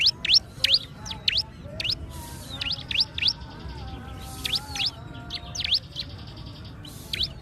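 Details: Bar-winged prinia singing: rapid, sharp, upward-sweeping chirps in short runs, sometimes paired, delivered at an uneven pace, over soft sustained tonal sounds in the background.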